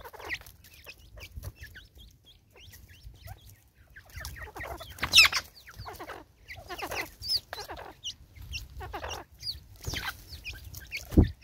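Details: Natal spurfowl female, angry, recorded in South Africa in 2024, uttering harsh, crackling cackle phrases in separate bursts with quiet gaps between them. The loudest burst comes near the middle.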